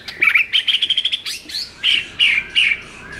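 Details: White-rumped shama singing, meant to stir up a shama that sings too little: a rapid run of about eight bright whistled notes, then longer slurred, wavering whistles repeated at roughly half-second intervals.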